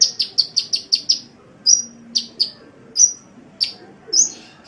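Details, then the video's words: Sunbird chirping in a masteran for songbird training: a quick run of high chips, then single, sharp, slightly downslurred notes spaced about half a second to a second apart. "Masteran Suara Kolibri"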